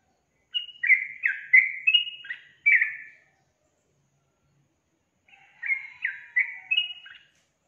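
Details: Yellow-vented bulbul in strong song: two short bursts of five or six quick, bubbly, downslurred whistles, separated by about two seconds of silence.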